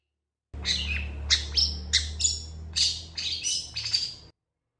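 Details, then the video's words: Long-tailed shrike singing energetically in response to another shrike: a quick string of sharp, squeaky and scratchy notes, roughly two per second, some with thin whistled tones, over a low background hum. "CENDET FULL TEMBAKAN PANJANG . . PENTET GACOR DOR FULL EMOSI CEPAT DI RESPON CENDET LAIN"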